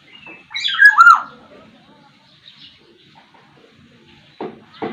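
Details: Black-naped oriole from Sumbawa, with a wide vocal repertoire, gives a loud grating call that drops in pitch, followed by quiet, and then two short dry clicking sounds near the end.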